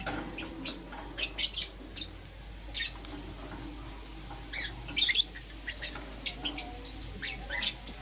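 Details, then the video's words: Lovebirds, Euwing green opaline and lutino, chirping in the morning: busy series of thin high squeaks and chirps, one louder burst midway, faint low hum behind. "Lovebird Chirping Sounds - Euwing Green Opaline & Lutino"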